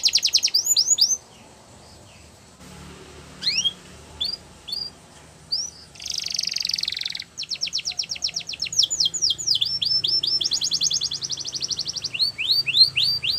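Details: Belgian canary song with brief pauses: scattered high rising whistles, a buzzy rattle, then long fast trills of falling notes at changing pitches.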